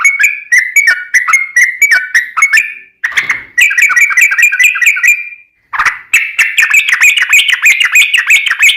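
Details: Yellow-vented bulbul lure song from an actively singing bird: bursts of rapid, bubbly warbling broken by two abrupt short gaps, ending in a dense run of rising chattery notes.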